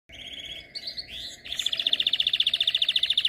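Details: Canary song: a fast high trill of short notes, then brief warbled phrases, then a rapid rolling trill repeated nearly four times a second, clear and loud.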